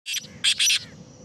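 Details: Black francolin of the Sindhi type calling: three harsh, grating broadband notes in quick succession, a short first burst then two longer, louder ones, over a faint steady hiss.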